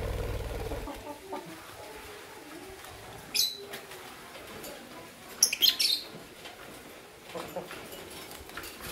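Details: Pair of green violin lovebirds in the morning, giving a brief screechy chirp, then a louder cluster of sharp, high chirps a few seconds later over a quiet background.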